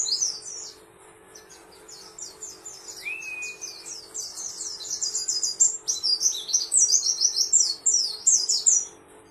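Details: Pleci delivering a long, fast stream of high chattering chirps that grows louder toward the end, with one slurred whistle early on and a constant low hum behind.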